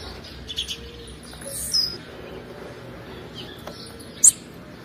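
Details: Female blue-black grassquit giving her male-stimulating call: a thin falling whistle, then, seconds later, one sharp very high chirp, with steady background hiss.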